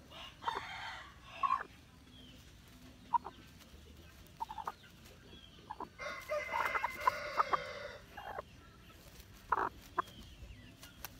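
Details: Hmong black chicken making scattered short clucks, then a longer loud harmonic call of about a second and a half near the middle, followed by more brief clucks, with low background hum.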